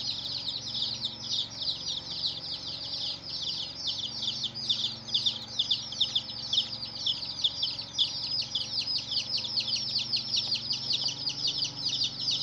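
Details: Colored chicks peeping en masse: rapid, high-pitched, downward-slurred chirps overlapping in a dense, lively chorus with a few louder peaks, over a faint low hum.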